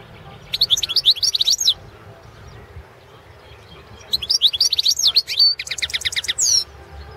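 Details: European goldfinch of the subspecies carduelis balcanica, recorded for a world championship of goldfinch song run from Serbia; long rapid phrases of tinkling, rising and falling whistled notes, ending in a fast buzzy trill, with a quiet pause between bursts.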